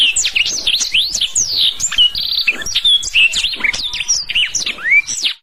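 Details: A black-throated canary sings a fast, continuous run of high, sweet whistles, rising and falling slurs and brief buzzy trills, with no pauses, over repeated applause.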